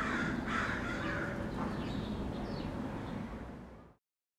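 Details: Agitated crows in a residential neighborhood utter a few rough, raspy caws in the first second, then the sound fades to low background noise and silence.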